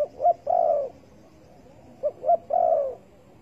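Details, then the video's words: Spotted dove, recorded while trapping with bare bait on 15 August 2020, gives two phrases: quick double notes rising to a sharper peak, then a long, level-to-falling coo. "Bẫy cu gáy bằng mồi trần cực đỉnh"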